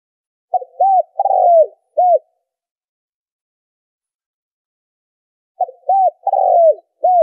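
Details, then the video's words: A spotted dove calls to lure birds for trapping, giving two bursts of a stuttering short coo, a longer falling coo and a clipped final note, separated by several seconds of silence. "tiếng chim cu gáy kích bổi - cu gáy kích mồi - tiếng cu gáy giành cho đi bẩy"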